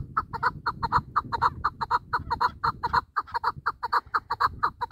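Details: Chukar partridge kept for hunting calls in a steady rhythmic train of loud, clipped chuck notes, roughly two per second and evenly paced, with a faint low hum behind.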